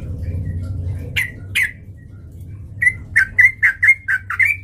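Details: Sooty-headed bulbul lure song meant to provoke fighting: after two sharp separate notes, a fast run of short warbled whistled phrases near the same pitch, repeated rapidly, over a low steady hum.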